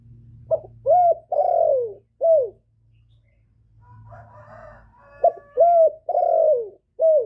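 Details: Male spotted dove used as a decoy, calling to lure wild doves: repeated phrases of soft, mellow coos, each note sliding downward, in two bursts separated by a brief pause with a faint rustle.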